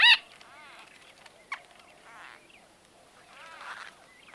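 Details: White-fronted bee-eaters conversing close to the recorder, opening with a loud harsh note, then soft falling squeaky calls, a sharp click and faint buzzy chatter.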